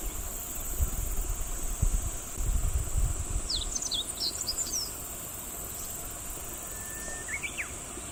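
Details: Meadow bunting singing on 13 July 2018 at Kubokawa Ihatov World. It gives a quick, high phrase of varied chirping notes lasting about a second, then a lone thin note later. A constant hiss of insects and low rumbling wind run beneath it.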